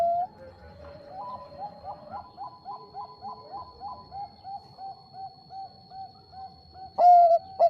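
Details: Bangkok-type zebra dove calling to provoke rival birds: long run of soft, evenly spaced mid-pitched coo notes with a second cooing series above, ending in a few loud, close notes.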